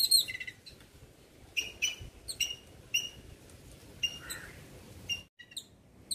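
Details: Yellow-billed babbler calling: a string of short, sharp chirping notes with bright overtones, given in quick clusters and separated by brief pauses, over a soft low background hiss; one fuller, rougher note sounds midway.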